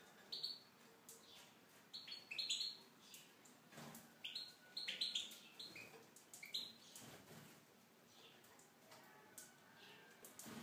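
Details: In an aviary, a Tunisian goldfinch pours out short bursts of sharp, chattering high notes for about seven seconds, then falls quiet amid scattered clicks and knocking.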